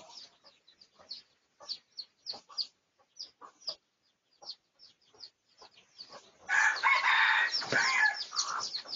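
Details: Red junglefowl, Pradu colour variety, in a research recording of 18 August 2023. Scattered short clicks and chirps come first. Then a loud, raspy, harmonic crow bursts in and carries through to the end.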